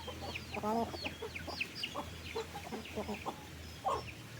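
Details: Farm chickens being fed in the afternoon: a short, nasal, harmonic cluck opens, followed by many overlapping high, thin peeps and scattered soft clucks over steady low background noise.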